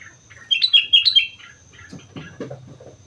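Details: Vigorous sooty-headed bulbul song from Mount Slamet: four bouncy, liquid whistled notes in quick succession, followed by lower, softer chattering sounds.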